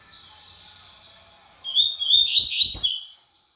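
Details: Brown double-collared seedeater showing a fast song: a thin steady high note, then a loud rush of rapid, buzzy, twisting whistles jumping up and down before ending abruptly.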